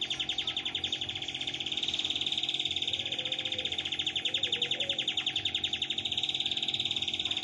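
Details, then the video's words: Master-trained canary singing in the dominant "lagu brem" phrasing style (cengkok): a sustained, even, rapid trill pulsing about three to four times per second throughout, with faint lower warbling notes in the background. "KENARI MASTERAN DOMINAN CENGKOK LAGU BREM"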